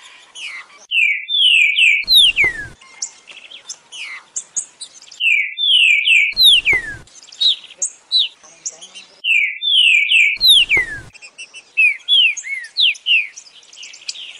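Green-winged Saltator singing a loud, clear whistled phrase of slurred notes, repeated about every four seconds, with brief rustling bursts between phrases.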